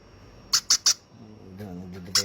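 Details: Hand-fed baby conure indoors giving three quick, sharp, high squeaks in a row, then another lone squeak after a short stretch of low murmuring voice.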